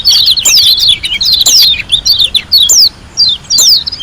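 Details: White-eye from Lombok, Indonesia, in lively song: loud, high, sweeping chirps packed into quick rushes, broken by short pauses about every second.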